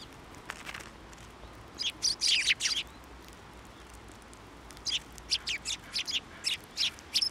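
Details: Sparrows flying onto a hand for food at a Tenmangu shrine on 29 January 2024. Short high chirps come in scattered bursts, with a quiet stretch in the middle and then a quick run of chirps near the end.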